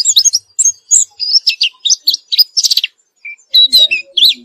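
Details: A white-eye, after therapy, delivers a busy high-pitched twittering song of rapid chirps, buzzy notes and short slurs with one brief gap, plus a few faint lower notes in the background.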